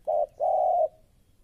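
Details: Spotted dove, a newly caught aggressive bird kept as a trained decoy: two low, mellow coos, first a short note, then after a brief pause a longer drawn-out one that fades off, with nothing else heard.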